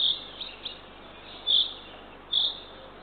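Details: Feeding time at a Eurasian eagle-owl nest in Northern Estonia, dawn of 3 June 2023, nest camera. The owlet gives three short high rasping calls, two close together near the end, with soft ticks between.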